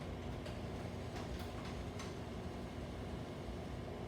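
Continuous dense rumbling noise like a passing train, with a few faint clicks; no animal sound.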